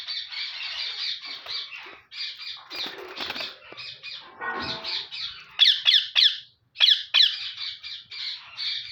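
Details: Active male parrot in a cage: harsh, raspy squawks in rapid bursts, some longer and grating, others short and sharp, repeating irregularly throughout.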